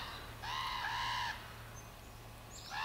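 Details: Young common ravens at Ford's Cove, begging to be fed: a long, harsh, nasal wail of roughly one second with layered harmonics, then quieter, with another call starting at the end; steady low hum beneath.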